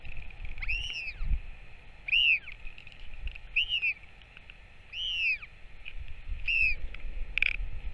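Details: Northern royal albatross LGK, back and feeding, recorded 21 May 2024, giving high, arching whining calls about every second or so, six in a row, over a steady low rumble of wind.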